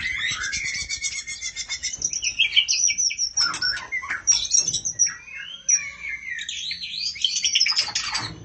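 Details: A female oriental magpie-robin calls for the male with a continuous, varied medley of high chirps, rising and falling whistled slurs and quick trills, with a brief lull near the middle.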